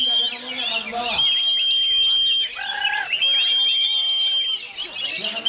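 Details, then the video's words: Oriental magpie-robin exposed to strong wind sings a varied medley, mixing high twitters and trills with lower, hollow, cooing-like phrases, while a level high-pitched tone holds throughout. "ANTI BADAI‼️Kacer KEJORA Tak Peduli Walau Diterjang Angin"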